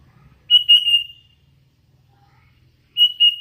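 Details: Hand-raised sooty-headed bulbul giving a clear flat whistled phrase with a small wavering at the start, followed after a pause by the start of another.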